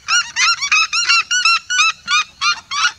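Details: Vibrant chorus from a flock of red-legged seriemas: rapid, strident yelps with rich harmonics, about three per second, voices overlapping at the start then settling into an even, regular beat.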